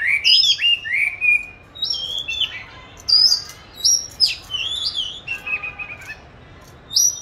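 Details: Caged oriental magpie-robin, recorded March 2021 while hung in an ideal practice spot; bright whistled phrases separated by short pauses, steady high notes, slurs and a brief scratchy trill.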